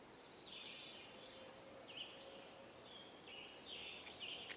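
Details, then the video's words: Scarlet tanager singing hoarse, burry, mid-high, slightly slurred phrases over steady background hiss with a faint low tone, on a woodland walk on 21 May 2022. "hear that here here yeah yeah guess who that is that's a scarlet tanager singing and just heard a wood"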